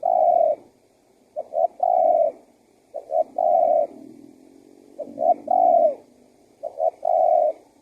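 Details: Spotted dove cooing to draw in wild doves: rhythmic short-short-long phrases, the final coo sustained and falling, repeated five times, with a faint low hum between phrases.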